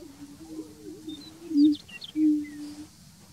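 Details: On the Bledsoe Ranch lek, a greater prairie-chicken gives two loud, sustained low hoots about half a second apart, following softer droning and a few thin high squeaks.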